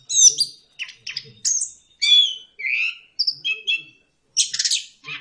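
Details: Orange-headed thrush (anis kembang) used as a lure to stir silent caged birds into loud open singing; rapid varied phrases of sharp chirps, buzzy notes and slurred whistles in short bursts separated by brief pauses.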